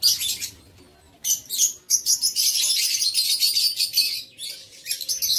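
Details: Lovebirds kept in an aviary, 7 April 2023: dense, continuous high shrill twittering and screeching. A short lull is followed by a sustained, rapid stream of sharp chirps.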